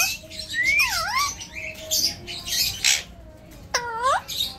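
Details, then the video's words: Pet Alexandrine parakeet with human-like talk: a rising whistle sliding into a dipping squawk, breathy chatter in the middle, and a closing harsh, stacked, downward-bending call. "Alex parrot talking like a human"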